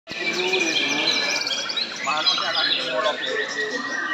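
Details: White-rumped shama singing in the sujud (bowing) style: a rich, rapid stream of varied whistles, trills and chattering phrases with no pauses, with people talking nearby.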